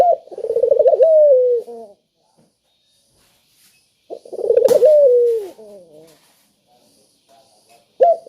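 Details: Spotted dove calling to encourage lazy doves to call: two full phrases, each a rapid rippling run of notes swelling into a drawn-out descending coo. A short click between them, and the next phrase starts at the end.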